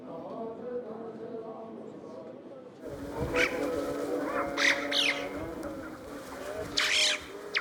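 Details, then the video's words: Western jackdaws in winter in the Zanskar Valley, Himalaya, at a Buddhist nunnery: sharp, harsh 'chack' calls in scattered bursts, several within a few seconds, over steady droning music, as if talking to each other. "It sounds like the jackdaws are talking to each other."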